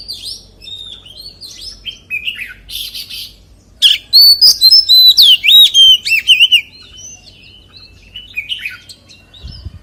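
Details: Scattered soft chirps and whistles from an Oriental magpie-robin build into a loud burst of wild forest-voice song, rich looping whistles and trills, before it drops back to quieter notes.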